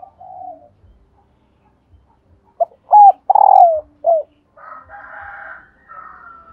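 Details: Spotted dove female calling to get males cooing: soft low murmur, then a loud phrase of a short note, a looped coo, a long trembling coo sliding down and a clipped final coo, then a hoarse buzzing stretch.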